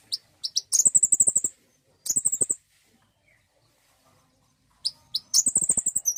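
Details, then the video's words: Lure recording of common iora song meant to stimulate singing: shrill, fast rattling trills in three bursts of about half a second to a second, separated by silent pauses. "pancingan bunyi burung konin"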